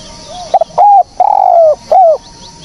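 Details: One spotted dove phrase for use as a trapping lure: a soft lead-in coo, a stuttered note, then two long mellow coos, the second sliding downward at its close.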